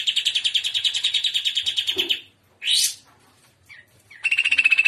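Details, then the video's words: Greater green leafbird in full trotolan-style song, the shrimp style: a fast chattering run of bright repeated notes for two seconds, a sharp rising burst, a pause, then another rapid metallic trill. "TROTOLAN CUCAK IJO Paud JAHAT FULL JAMTROK GACOR GAYA UDANG"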